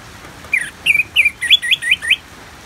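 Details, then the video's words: Orange-headed thrush (anis merah) from North Bali, Singaraja, singing in the clear ngeplong style, set with natural rain sounds as therapy: a run of about seven bright, slurred whistled notes, some rising and some falling, over a soft hiss. "Terapi ANIS MERAH Ngeplong dan Suara Hujan ALAMI"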